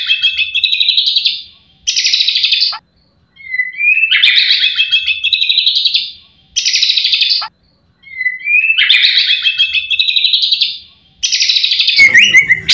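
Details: White-rumped shama in energetic full song packed with mimicry, meant to stimulate other shamas to sing. Repeated bursts of bright warbling and rising whistles alternate with dense chattering phrases, separated by brief silent gaps.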